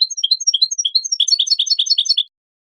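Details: European goldfinch song used for training songbirds and stimulating breeding birds to mate: fast tinkling twitter of short high notes, first a loose run of paired chirps, then a denser rapid trill of overlapping notes ending abruptly.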